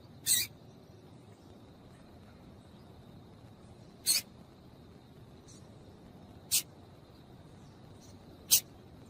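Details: Double-collared seedeater female calling to warm up a male: four short, harsh, high chips spaced roughly two to four seconds apart, with a faint continuous hum underneath.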